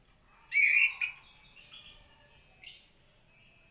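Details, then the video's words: White-rumped shama giving a brief, very high song: a loud whistled phrase, then thinner buzzy and squeaky notes fading out. "Kicau Murai Batu Maskot Para Pecinta Burung Kicau"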